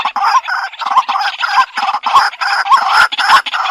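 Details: White-breasted waterhen calling in a lure recording made on a Xiaomi Redmi Note 8 phone: continuous grating, croaky phrases with brief dips and faint looping notes inside, irregular rhythm.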